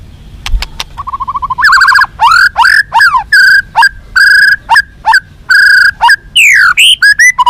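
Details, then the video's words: White-rumped shama song, played to make captive birds more responsive and combative: a few faint clicks, then loud, varied whistled phrases with rich overtones, some rising, some falling or steady, in quick bursts with short gaps. "SUARA BURUNG MURAI BATU FIGHTER"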